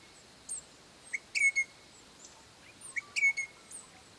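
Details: A pair of crimson rosellas call to their young with clear, ringing whistled notes in two quick bursts a couple of seconds apart, with a few softer chirps between them.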